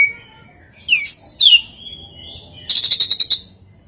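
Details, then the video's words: Magpie-robin delivering a strange song with very rare fill-ins: two swooping high whistles, a long thin level whistle, then a fast stuttering trill of about eight buzzy notes. "Suara kicauan KACER yang aneh, & isian yang sangat LANGKAH"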